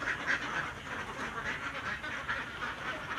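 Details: Farm ducks gathered together at shared nests while laying eggs, giving a quiet, continuous murmur of overlapping soft quacks and chattering notes, with a few brighter calls standing out near the start and middle.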